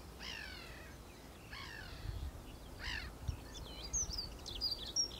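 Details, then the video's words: Eurasian oystercatcher, while feeding and mating: three loud, shrill, downward-slurred calls about a second apart, followed by thin, high chirps from other birds over low background rumble. "Oystercatcher (Eurasian) - Haematopus ostralegus - Feeding | mating"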